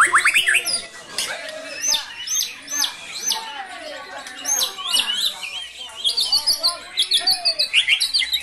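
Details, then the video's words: White-rumped shama kept in Cilacap, Indonesia, pouring out brantakan fill material: dense high chattering and slurred whistles, with repeated bursts of fast rhythmic chirps. "Murai GACOR bongkar MATERI * isian BRANTAKAN"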